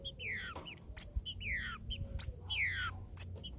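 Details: Green-winged saltator singing macheando to warm up other saltators: long, richly layered downward-sweeping whistles about once a second, alternating with bright, sharp clicks.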